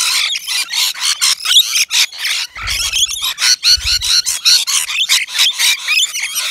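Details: Rainbow lorikeets crowding a balcony nectar feeder in Australia; rapid, choppy shrill screeches repeated many times a second in a steady pulsing stream, with two brief low thumps midway.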